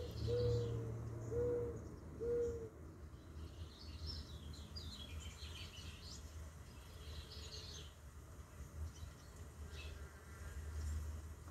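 Mourning Dove giving soft, low hooting coos: a slightly rising first note, then two more about a second apart, over a steady low rumble with faint distant chirps.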